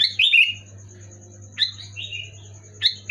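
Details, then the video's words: Sooty-headed bulbul, called kutilang, used to prompt a quiet pet bird into singing: short bubbly fluting phrases of a few notes, three bursts about every 1.3 seconds, with a steady low hum behind. "Suara burung kutilang gacor keras jelas bikin kutilang omyokan macet malas bunyi auto bunyi gacor"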